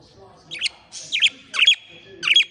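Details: Pet parakeets at play with their owner, giving short scratchy chirps and squawks in four bursts over soft indoor background noise.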